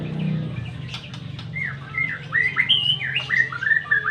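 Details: White-rumped shama song of short, varied whistled notes, some rising and some falling, delivered in a quick, irregular sequence over a low background hum.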